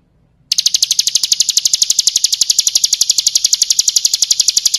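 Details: Bar-winged prinia in 'kristal' song, full variation, used to tutor cage birds: after a brief quiet start, a steady, rapid, high-pitched rattling trill with evenly spaced sharp notes runs to the end.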